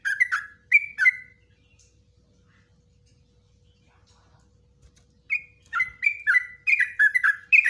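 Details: Yellow-vented bulbul delivering long 'ropelan' phrases with 'nguklik ngecruk' notes, suited to tutoring cage birds: a short bubbly burst, a quiet gap of about four seconds, then a lively run of liquid gurgled notes.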